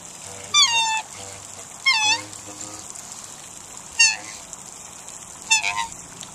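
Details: Pair of Australian black swans approaching and calling: four separate short bugling, wavering notes with a falling tail, each about half a second long and spaced one to two seconds apart, over quiet background.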